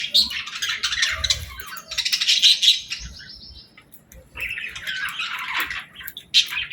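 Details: Budgerigars in the evening at feeding time with seeds and millet, gathered before bedtime: bursts of high, buzzy chirping and chattering warbles, a short quieter pause midway, then more excited chatter, with soft rustling of wings.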